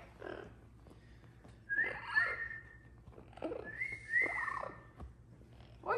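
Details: Pet Amazon parrot out of its cage, calling to the cat; paired bright whistled notes come in two bursts a couple of seconds apart, with harsher throaty sounds between them and quiet room noise.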